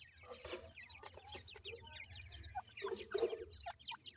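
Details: Shrill little descending cheeps from grey francolin chicks, locally irani teetar, come in clusters with some lower clucking notes and pecking clicks, over a constant low rumble.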